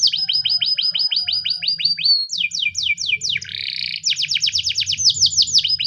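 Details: Spanish timbrado canary giving its morning training song: runs of rapid repeated falling notes, a brief buzzy rolled section, then more quick descending note series, with low hum in the background.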